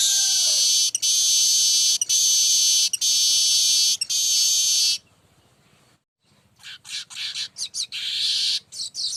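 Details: A baya weaver sings on and on in this lure-sound recording: a long, loud, hissing buzz with short breaks that lasts about five seconds, then a brief silence and a burst of rapid, scratchy chattering notes.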